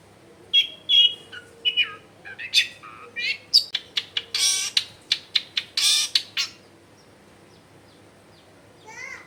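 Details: Long-tailed shrike, recorded in a densely populated area to lure quiet birds into song, gives squeaky phrases, then a run of harsh, rasping scolding bursts before falling silent.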